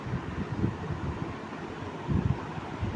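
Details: Gusty wind buffeting the microphone gives a low rumble with no animal calls.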